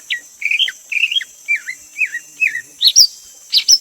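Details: Greater green leafbird song: a quick series of short warbled whistles at a middle-high pitch, each phrase rising then dipping, repeated about every half second, ending with sharper higher notes against a constant insect hum.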